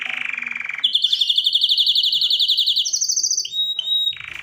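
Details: Canary singing a chain of trills: a lower rolling trill, a fast high rattle, a step up to a higher trill, then short clear whistled notes.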